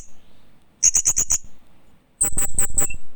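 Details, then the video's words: Hanging parrot producing two short series of high, sharp chirps, five quick notes then four slightly higher ones, with a quiet pause between them. "Loriculus Bird Chirping"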